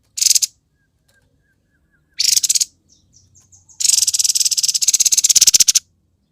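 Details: A grey-headed babbler's lively 'konslet' song: harsh high buzzy bursts, a soft run of thin descending notes, then a two-second rapid stuttering rattle.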